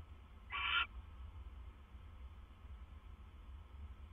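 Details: Owl at a nest at 2:32 AM on 25 September 2015, as the male brings the female another food item. A single short, harsh, hissing screech rises above a quiet low hum.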